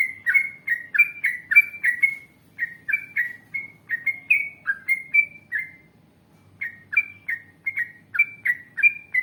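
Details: Energetic yellow-vented bulbul song in a long rolling ropel style, used as a lure so other bulbuls sing back. Fast runs of chirpy, liquid whistles slide up and down, pausing briefly near the middle before resuming at a similar pace.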